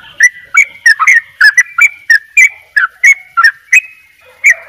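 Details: Bali yellow-vented bulbul in full, lively double ropel song: a rapid, uneven string of bright chirpy notes, about a dozen in under five seconds, each a quick rising and falling flourish, over a clean background.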